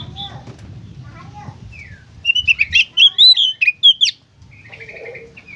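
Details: Oriental magpie-robin in lively 'gacor konslet' song: after a quiet start with low background noise, a loud two-second volley of sharp rising and falling whistles, then softer buzzy notes.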